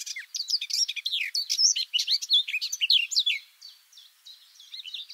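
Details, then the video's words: Close recording of a garden warbler in song beneath a bush: a fast, continuous, bubbling warble of varied twisting notes, loud and rich for over three seconds, trailing into softer, thinner phrases. "This garden warbler song (Silvia borin) sounds great!"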